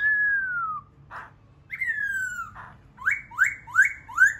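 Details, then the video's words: Laughingthrush whistling clear, drawn-out falling notes separated by short pauses, then four rapid rising whistles repeated in quick succession. "khướu bổi hót"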